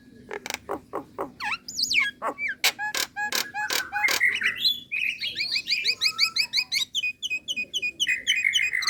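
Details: Nias hill myna female calling a male, delivering a series of loud, sharp clicks and a few looping whistles that break into a fast, chattering stream of high, warbled notes.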